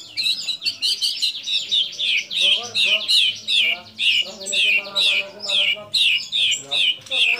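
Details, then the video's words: Lively white-rumped shama singing with borrowed calls of sooty-headed bulbul, cililin, lovebird and canary; loud, sharp, high notes hammered out about two to three per second, with softer lower chatter underneath. "Murai Batu Gacor Isian Kapas Tembak Sambung Cililin Lovebird Kenari"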